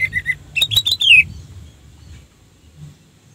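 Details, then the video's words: Orange-headed thrush, used as a lure to rouse other orange-headed thrushes to call, gives three quick high whistled notes, then a rich burst of slurred, descending whistles over a faint low hum. "suara Anis merah untuk pancingan"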